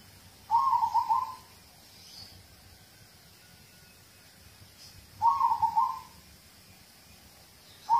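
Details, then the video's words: Zebra dove (local perkutut) cooing for prompting other birds to sing: two short rolling, bubbly coo phrases about five seconds apart, each near a second long, with faint hiss between. "Audio terapi perkutut lokal untuk pancingan"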